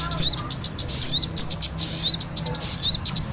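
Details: Lure sound for catching small birds, blending kemade with sogon: sharp high chirps and quick rising whistles scattered irregularly over a faint low hum, calls overlapping in a noisy flurry.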